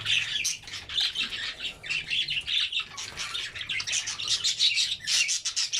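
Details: Group of red-eyed albino budgerigars feeding on vegetables; busy, bubbling high chatter of chirps and harsh squawks comes in quick pulsing bursts throughout, over a faint low hum.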